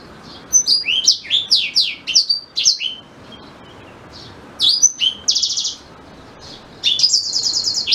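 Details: Black-throated canary singing for white-rumped shama training: bursts of rapid high whistled sweeps, interrupted by short pauses, with two harsh buzzy trills in later phrases.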